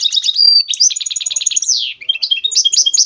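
A goldfinch mule sings a rapid, bright twittering song of high trills, buzzy notes and a sliding whistle, with no other sounds.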